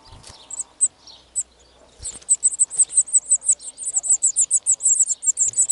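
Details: A European serin sings at a wild nest in spring 2018, an early brood of the year: a very high, fast, sizzling jingle of tightly packed notes after a few scattered opening chips.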